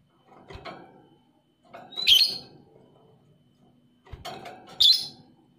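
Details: Lovebird ('paud emosi') calling, intended to stimulate reluctant lovebirds to sing: two clusters of shrill, squeaky chirps with softer chattering and rustling noise around them.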